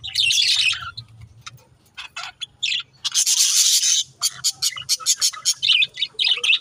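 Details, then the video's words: Talking pet budgerigars giving loud harsh bursts and rasping chatter, then a quick series of short high chirps, over a faint low hum. "They're talking"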